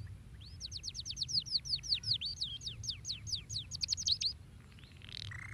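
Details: Singing canary, played to encourage canaries to sing: a rapid, rolling trill of bright, high downswept notes lasting about four seconds, ending in a short buzzy phrase, with faint low hum beneath.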